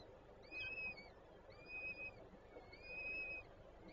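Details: Peregrine falcons at a nest with three chicks in Warsaw, Żerań, Poland, on 25 April 2024: thin, drawn-out, whistled calls with a slight arch in pitch, repeated about every 1.3 seconds over a steady low background hum.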